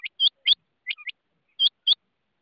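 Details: Rain quail uttering loud, ringing paired notes, a couple of lower softer notes between them, then another clean pair; short, crisp and high-pitched.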